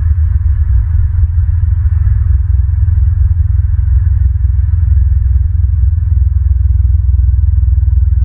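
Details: A loud, deep, throbbing mechanical rumble pulses rapidly and evenly throughout, with no animal calls.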